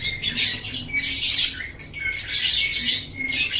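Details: Master recording of lovebird song: rasping squeaky bursts about once a second, each tipped with a short thin whistle, shrill and buzzy, a low hum faint beneath.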